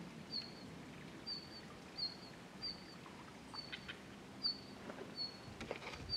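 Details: A red-flanked bluetail, heard but unseen, on 20 March 2012, gives thin, high, level whistled notes about once a second, a little unevenly spaced, over a low background rumble.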